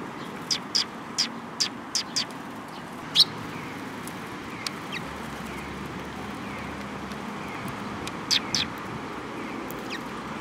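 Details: Sparrows coming to a bridge to be fed, 18 May 2021: short sharp high chirps, singly and in quick clusters, scattered over a steady rushing background noise.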